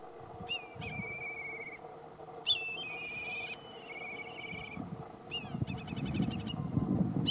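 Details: A Black Kite (Milvus migrans) standing on power lines near the Long Trough and Prison Boab Tree, Derby, WA, calls with thin, whinnying whistles that drop then trill, several bursts over a few seconds, over low rumbling traffic or wind.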